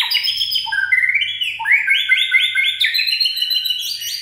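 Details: White-rumped shama in peak singing form, described as having a steely voice: rich, loud whistled phrases stepping upward from low to high, with clear ringing notes and quick slurred flourishes following one another without pause.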